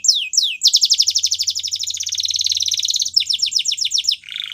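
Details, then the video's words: Spanish Timbrado canary song: a few falling whistles, then a long rapid rolling trill, further falling notes, and a brief lower buzzy note at the close. "Spanish Timbrado Canary Singing"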